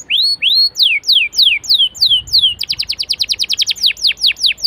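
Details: Caged canary singing as a prompt for other canaries: loud swooping whistled notes, then a fast rolling trill, then sharply descending slurred notes repeated several times a second, clear and dominant.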